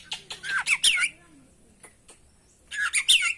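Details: An oriental magpie-robin gives varied song used to stimulate other birds. Scratchy, squawking notes mixed with slurred whistles come in two short bursts separated by a quiet gap with a few soft clicks.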